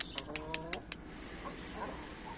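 A Brahma chicken gives a brief, nasal, harmonic call lasting under a second, over a run of sharp clicks. Faint background murmur follows.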